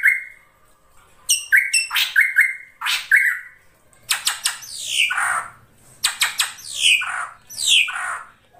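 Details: Ashy drongo of the krantil saeran type in a lure recording: level whistles and clicks, followed by rapid clicking notes and descending harsh slurred calls.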